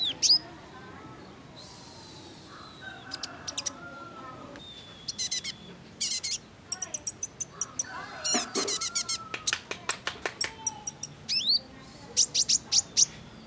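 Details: Female kolibri ninja sunbird calling to make males sing: scattered sharp high chips and ticks, brief thin whistles and short down-slurred notes, irregular and quiet over a faint background hiss.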